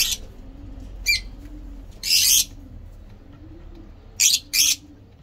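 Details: Lovebirds of several mutations kept for breeding, sounding harsh broadband screeches and a shrill chirp, spaced apart by quiet gaps with low room noise.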